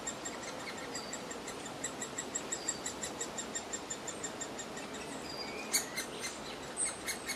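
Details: Noisy great spotted woodpecker chick begging as it is fed in the grounds of the former Rowden's House; rapid series of short, high, scratchy notes, a few thin whistles from other birds and a louder burst near the end.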